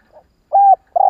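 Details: Spotted dove giving a kích bổi lure call meant to provoke a quick response: a faint low note, then two mellow, steady coos, the second cut off abruptly, on a silent background.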